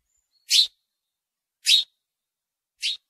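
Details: Three clear, isolated house sparrow chirps, each short and bright, spaced roughly one second apart in otherwise quiet surroundings.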